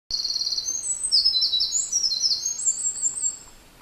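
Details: Eurasian wren parent bird nesting nearby, busily carrying food and singing from a favourite branch. A loud, very high, rapid trilling and twittering song runs almost unbroken for over three seconds, then fades.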